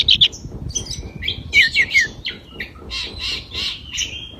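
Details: Pied bushchat, called a mini magpie-robin locally, singing briskly with spread wings: a dense jumble of high chirps, downslurred whistles and rapid scratchy phrases, with low background rumble.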